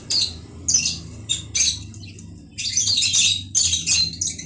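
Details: Conure screeching in sharp, abrupt harsh calls, several spaced apart, then a denser cluster of grating squawks, over a faint low hum.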